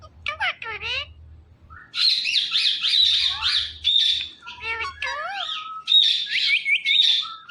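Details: Pet Indian ringneck parakeet, a talking parrot, giving a dense run of sharp squawks, chattering notes and rapid warbling whistles that wobble up and down, with short pauses between bursts.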